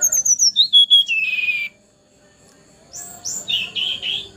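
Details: Juvenile Javan pied starling, still young yet already singing: high thin whistled notes stepping downward, then a buzzy sustained note, a pause, and a run of high rising whistles and rough chirps.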